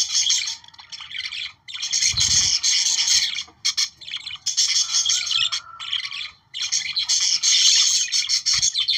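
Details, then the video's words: Continuous chattering budgerigar warble meant to trigger breeding, rapid twittering and rasping notes in long runs with a few sharp pauses and a low knock early on. "Periquitos 🦜australianos para activar su reproducción"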